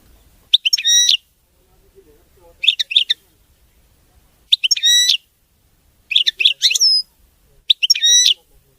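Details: European goldfinch, called the king of songbirds, singing a clean, faultless song: five short bursts of bright, high twittering phrases with buzzy overtones and a thin rising whistle, spaced about every one and a half to two seconds.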